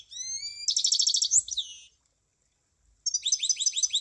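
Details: Munia opening with thin, slightly rising whistled notes, then a fast buzzy trill sliding downward, and after a silent gap a quick run of high stuttering chirps.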